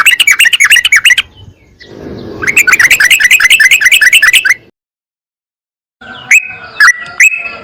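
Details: Sooty-headed bulbul song from a bird-training recording, a fast chattering series of sharp, repeated, slightly downslurred notes, then a pause before several clear whistled notes slurring downward and dropping in pitch.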